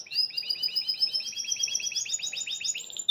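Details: Caged Belgian canary singing out of joy: a fast, even run of bright chirping syllables, doubled in two pitch bands, climbing slowly in pitch across the phrase and ending on a sharp note.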